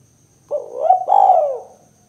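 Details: Spotted dove call meant to lure and provoke other doves: one two-part coo, a brief rising note then a longer rolling coo that curves downward and fades, with a faint low hum and a thin steady high tone.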